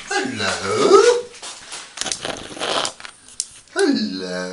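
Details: An 8-year-old female grey parrot chats to herself in a bathroom, in voice-like phrases: a drawn-out rising and falling utterance, short clipped bursts, then another falling phrase, in the small echoey room.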